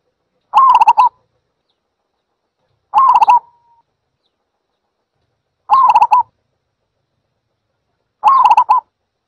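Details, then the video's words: ['Zebra dove calling four times, each a half-second run of rapid, rippling coo notes, spaced about two and a half to three seconds apart, with silence between.'] "សំលេងលលកដី Zebra Dove"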